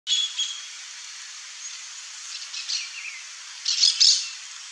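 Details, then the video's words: Glittering-bellied emerald (Chlorostilbon lucidus), a hummingbird, giving high-pitched thin chirps: a bright note at the start, sparse faint twittering through the middle, then a dense burst of sharp, squeaky high notes near the end. "BESOURINHO-DE-BICO-VERMELHO canto (CHLOROSTILBON LUCIDUS), GLITTERING-BELLIED EMERALD"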